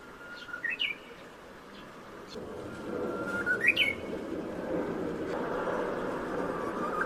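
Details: Japanese bush warbler singing its hoo-hokekyo song in spring, recorded by smartphone from a home window: a long, steady whistled note, then a quick rising flourish, given twice, over a broad hum of background noise.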